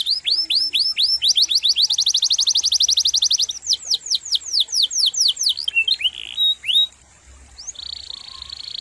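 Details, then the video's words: Canary singing a long, varied training song used to tutor other songbirds: rapid rolling trills of downward-sweeping notes, about four per second, then slurred whistles and a sustained buzzy note, over faint low background hum. "Masteran KENARI GACOR"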